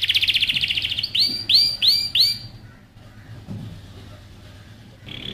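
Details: Canary training song: a fast buzzy trill, then four loud looping whistled phrases, followed by near silence and a brief trill at the end.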